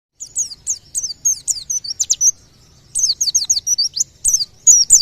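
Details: White-eye (pleci) song believed to draw nearby birds into singing: rapid high, thin descending chirps and slurred whistles in quick bursts, with a brief pause before a second run of sweeping notes.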